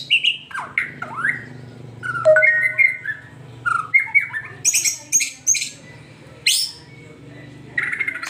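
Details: White-rumped shama song meant to get a pet shama singing: varied whistled slurs, short clear tones and high chattering notes in irregular bursts, with a low background hum.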